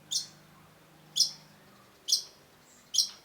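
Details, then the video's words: Cendet (long-tailed shrike) in full voice: four abrupt, harsh, high notes spaced about a second apart, each a short buzzy burst that quickly fades, with a low hum behind. "cendet gacor MASTERAN CENDET BAHAN AGAR TIDAK MACET SUARA || Long-tailed Shrike"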